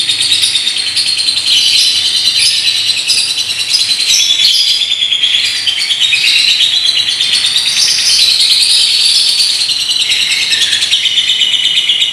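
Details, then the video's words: Long ngekek chatter from a paskun lovebird in a unique style: a continuous high, scratchy trill that keeps going for over twelve seconds, wavering slightly in pitch with quick rattling pulses throughout. "LOVEBIRD PASKUN NGEKEK PANJANG GAYA UNIK"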